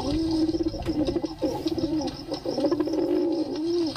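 A pigeon coos steadily, a low throaty rolling murmur that swells and dips in quick pulses with only brief breaks, heard close up in a small room.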